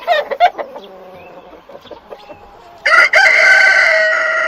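Chickens clucking: a burst of quick, throaty clucks, then softer scattered clucks, ending in a loud, drawn-out crowing call.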